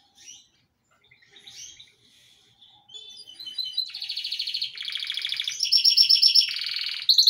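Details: Yellow Belgian canary, a pet bird singing a lot: soft scattered notes build into loud, fast repeated trills and rattling phrases in several pitches, strong and continuous toward the end.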